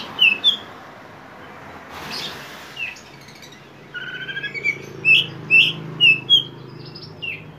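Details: Oriental magpie-robin (kacer poci) singing vigorously in konslet style, played to prompt other kacer to sing: sharp, high whistled chirps, first a quick pair, then a run of five rising notes about half a second apart, over a low hum.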